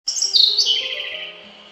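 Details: Siberian blue robin on Mt. Haruna: one high, bright phrase that starts with sharp notes and slides down into a ringing, fading tail, over faint steady low tones.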